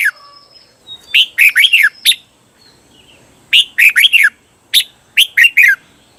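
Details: Red-whiskered bulbul training song for cage birds: bright, jerky phrases of rapid falling whistles, several short bursts spread over six seconds with brief silences.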